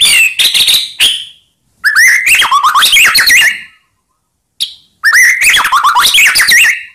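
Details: Lure song of a white-rumped shama meant to provoke silent birds: short sharp notes, then long rich phrases of rolling, slurred whistles and chatter, with gaps between phrases.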